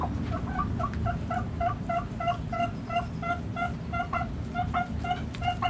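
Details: Backyard hens clucking: a rapid, even run of bright, ringing notes, about three per second, that goes on throughout over low background rumble.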